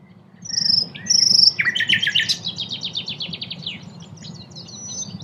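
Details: Common nightingale, nominate subspecies, at Cattenom, France, in May 2016: two pure high whistles, then a loud burst of rich notes and a fast, even run of repeated clicks that fades out, over a low background hum.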